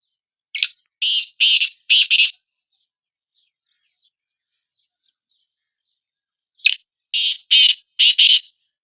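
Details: Black francolin (kala teetar) call phrase given twice roughly six seconds apart, in a recording comparing two birds: each begins with a short high note followed by four loud, scratchy, rhythmic notes grouped in pairs.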